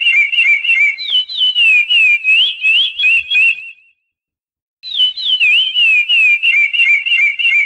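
A chestnut-bellied seed finch sings a long, fluty run of clear whistles that slur up and down, pausing briefly before resuming the rich, warbling phrases.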